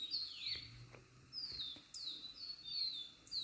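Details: Natural birdsong: several bright whistled notes sliding downward, some longer and falling steeply, repeated at short intervals over a soft background hiss.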